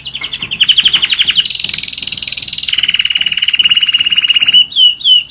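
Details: One-year-old German Roller-split canary singing: a rapid, rolling trill of pulsed notes, steady at first, then stepping higher and holding, then dropping into a long even roll before a few short rising chirps close the phrase.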